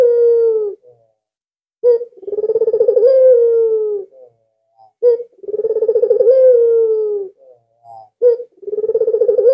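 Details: Low, mellow coos from a very vocal albino Barbary dove kept as a lure: each phrase begins with a short sharp note, rolls in quick pulses, then holds a level tone; three phrases in steady succession.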